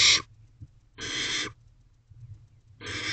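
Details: Huddling barn owl owlets in a nest box, 11:54 pm, 18 May 2023: broad raspy hissing bursts of under a second, three spread across a few seconds, with faint scuffles in the gaps.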